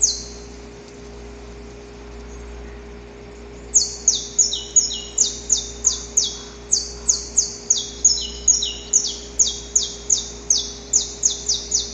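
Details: Male Saffron finch singing in nature before daybreak, courting a female: nearly four seconds of quiet hum, then an abrupt onset of loud, grating down-slurred notes repeated rapidly in an uneven series.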